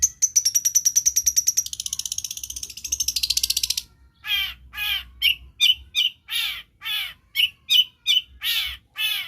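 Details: Long-tailed shrike (cendet) mimicking other birds gives a fast, high buzzy trill that changes tone midway, then after a pause a series of harsh, downslurred scolding notes about every half second.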